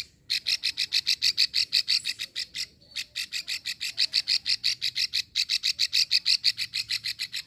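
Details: A female plain prinia in Ulujami, Central Java, makes the drawn-out 'ngekrek' call that lures males. Rapid, rattling clicks run at roughly three a second, with two short breaks in a long series.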